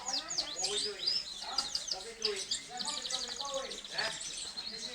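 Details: Gloster canary in an aviary: dense, high chattering twitters and quick rolling trills overlap continuously, with other birds calling in the background.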